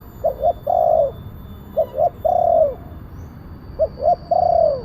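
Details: Spotted dove with a big voice, a kuk 1 style caller used as a lure to bring down wild doves; three phrases, each two short clipped coos and then a long downslurred coo, repeated about every 1.8 seconds over steady low hum.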